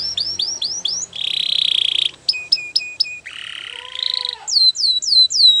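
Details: Belgian canary singing in training, hooked chirps, a long buzzy roll, sharp clipped notes, a low rising rasping phrase with a lower tone beneath, then falling swept whistles.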